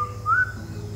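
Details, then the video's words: Crimson-headed Partridge in Sabah, Malaysia, 24 August 2023, gives a clear whistled note, then a brief rising, slurred whistle that fades, over a steady low hum. "Crimson-headed Partridge 紅頭林鷓鴣"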